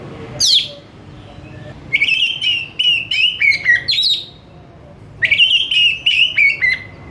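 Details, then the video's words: Oriental magpie-robin singing energetic "gacor" song: a high sweeping note, then two rapid runs of whistled notes, about four per second, easing lower in pitch, over a faint hum. "KACER BUNYI GACOR TANPA REPOT , CEPAT NGERESPON"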